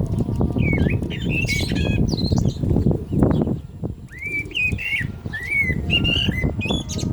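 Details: Common blackbird singing during the call to prayer: clear fluted whistled phrases, some rising and some falling, each followed by short high twittering notes. The phrases come in quick succession over a steady low rumbling background.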